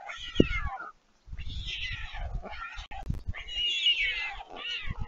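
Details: White stork siblings back from flight beg from a parent at the nest at Leemansmolen, Vriezenveen, Netherlands, 11 July 2022. A short cry is followed by two longer, rising, mewing wail bouts, with low thumping throughout.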